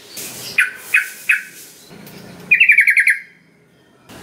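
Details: Sooty-headed bulbul lure to get reluctant birds singing: three sharp chirps spaced evenly, a low hum, then a brief rapid pulsed trill sliding downward.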